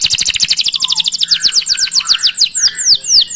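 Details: Canary song used as a training tutor to prompt other canaries to sing, a long chirping rolling performance: rapid high trill of repeated notes, then slower descending swept whistles about three per second.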